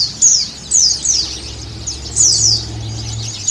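A white-eye gives high, thin twittering phrases in quick bursts of under half a second, each followed by a pause, over a faint low hum.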